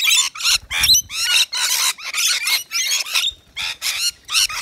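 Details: Native Australian rainbow lorikeets feeding from a bowl of wet nectar mix on a balcony; choppy, rasping squawks come in quick irregular bursts, some with sliding, wavering tones.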